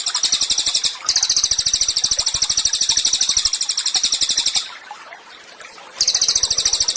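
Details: Cililin singing vigorously, used as a tutor recording for training songbirds: fast, dense, buzzy high trills of rapid repeated notes in long bursts, broken by two short pauses, with a steady ticking pulse underneath.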